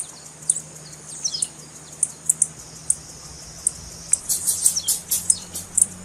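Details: Calls of a female blue-black grassquit, used to excite males into song: thin high ticks spaced about half a second apart, quickening into a dense burst of chips near the end, with a steady low hum beneath.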